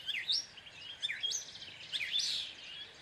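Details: Gray catbird singing a jumbled run of short squeaky phrases, some rising, some falling, delivered in quick uneven bursts with brief gaps.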